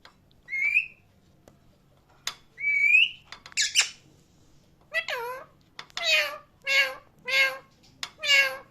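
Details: Loud parrot chirping: two clear whistled upslurred notes open, followed by a string of harsh, harmonic squawks repeated roughly every second in a quiet room.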